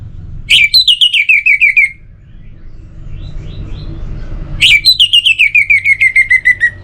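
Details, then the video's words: Orange-headed thrush singing two rattling whistled phrases, each a rapid series of about a dozen notes sliding downward in pitch, separated by a pause filled with faint soft twittering and low hum. "98% Obat Gacor Burung ANIS MERAH Buat Burung Yang Lagi Malas Bunyi"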